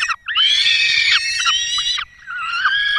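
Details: Peregrine falcons at a nest in the Barycz Valley, Poland, on 5 May 2022, as the male brings a small bird and the female feeds the chicks: loud, drawn-out harmonic wailing calls, two long notes followed by a shorter one.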